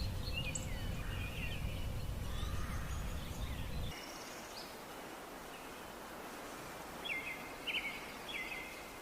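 Golden-crowned Warbler giving three quick bursts of bright, clipped notes near the end, after a stretch of low rumbling wind noise and faint distant chirps.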